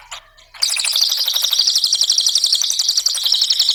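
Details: Cililin song used to stimulate other birds. After a short quiet start with a faint chirp, a loud continuous stream of rapid, sharp, high-pitched ticking notes runs steadily to the end.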